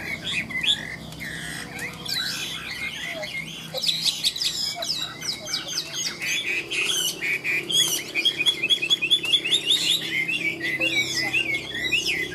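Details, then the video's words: Chinese hwamei, caged, in "ngũ trường" style song sung high: energetic varied whistles, buzzy trills and fast repeated chips forming long, rich phrases with brief pauses. "Họa mi ngũ trường, hót cao cầu - Treo ra là bắn như aka"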